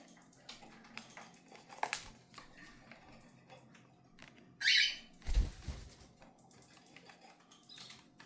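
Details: Cockatiel giving a single harsh squawk midway, set among rustling, wing flaps and a loud low thump just after, with softer scattered clicks and noises around it.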